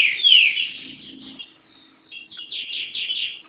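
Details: Kept green-winged saltator from Garça, São Paulo, Brazil, singing loud, clear, downward-slurred whistled phrases, a short pause, then a run of rich repeated whistled notes.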